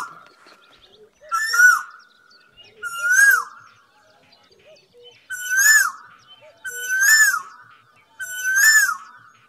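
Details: Koel singing in Singapore: five loud whistled notes, each sliding up then dropping, overlaid with a harsh metallic buzz high above, repeated about every one and a half seconds with quiet pauses between.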